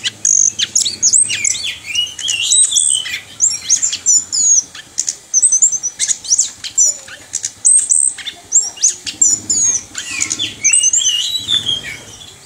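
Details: Orange-headed thrush in a cage, trained for a rolling song, producing long stretches of rapid high twittering, whistled slurs and mimic-like chatter, with bursts of clicking and faint rustling in the background.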